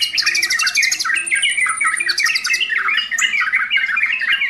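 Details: Sooty-headed bulbul in continuous full song, mixing fast rattling chatter with bubbly up-and-down warbles and a brief high thin whistle, heard in a small room.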